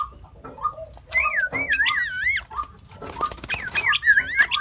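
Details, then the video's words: Sooty-headed bulbul imitating other birds, said to copy over five species: looping, warbled whistles that rise and fall, with brief sharp chips and harsher noisy bursts between phrases. "เสียงนกปรอดหัวเขม่า นกแทด เลียนเสียงนกได้มากกว่า 5 ชนิด"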